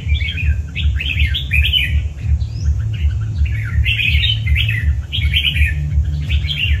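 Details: Red-whiskered bulbul of the 'cọp' type, from Vietnam: bright, warbling, slurred phrases repeated in quick bursts, about eight short phrases over seven seconds, over a steady, low, rhythmic thumping background.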